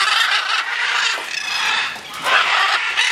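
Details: Free-flying macaws in the air, heard as rough, smeared screeching that runs almost without a break, rising in loudness near the start and again toward the end.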